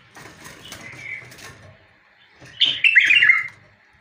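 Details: A bulbul sings one bright, tumbling warbled phrase late in the moment, preceded by quieter fluttering and soft chirps.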